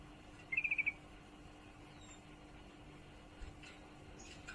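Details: A female sooty-headed bulbul in heat calls to a male with a single brief, fairly soft rattle of five or six quick high chips, followed by near silence and a faint hum.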